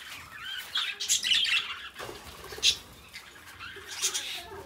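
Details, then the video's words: Two pet budgerigars singing at moderate distance: soft, scratchy, chirping chatter with a few sharper high squeaks over a steady background hiss. "Parrots singing beautiful birds voice beautiful budgies birds sounds"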